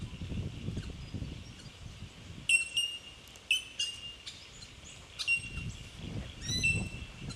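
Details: Bell miners recorded in Victoria, Australia, in March 2011, a cluster of loud ringing pings and short clicks from several birds, with low rumbling noise at the start and end.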